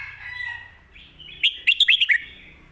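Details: Red-whiskered bulbul singing the "phat kuaitiao" and "khayao khuat" styles for home bird teaching: a soft fluting lead-in, then five rapid loud chirped notes in a tight sequence.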